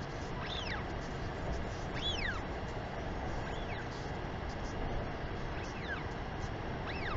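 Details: Northern royal albatross female greeting her chick at a New Zealand nest site, 28 March 2021, afternoon; a series of high, arch-shaped whistles about every one to two seconds, some faint, over heavy wind.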